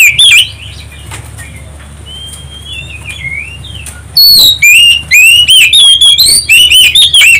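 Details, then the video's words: Oriental magpie-robin song used as a lure to provoke other birds into singing: a few soft whistles, then a loud run of clear, varied whistled phrases, rising and falling and repeated in quick succession. A steady low hum sits underneath. "pancingan kacer ampuh tercepat nyaut langsung gacor"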